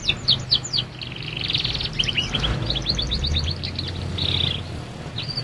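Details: Young canary learning to sing, mixing quick downslurred chirps with buzzy trilled passages and a short rising note at the end, over faint low background rumble.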